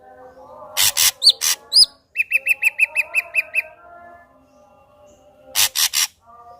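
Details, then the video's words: Lure recording of a vigorous ashy drongo meant to trigger singing in another ashy drongo: rasping notes and curved whistles, a string of about ten short chirps, then two more harsh rasps. "Srigunting abu abu gacor AMPUH buat PANCINGAN srigunting abu biar bunyi"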